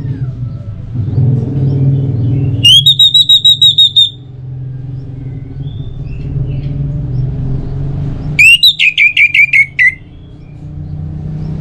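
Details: Orange-headed thrush singing as a lure for other birds: a steady run of high whistled notes, a pause over rumbling background noise, then a second burst of about eight quick descending whistles.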